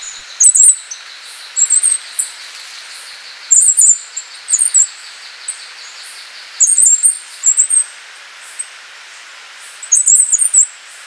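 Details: Wrenthrush, a species resident in Panama and Costa Rica, singing very high, thin phrases of three or four quick squeaky notes. The phrases come in irregular bursts about every one to three seconds over a steady faint background hum.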